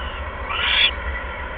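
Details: Owl at the nest bringing a second mouse, evening of 16 February 2015, 8:38 PM; one short, hoarse, high-pitched screech over a constant low background hum.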